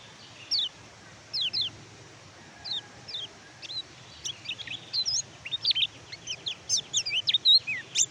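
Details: Oriental white-eye, whose song serves as a lure for birds silent after molting or capture: spaced, thin, high chirps at first, growing into a faster run of sharp twittering notes toward the end.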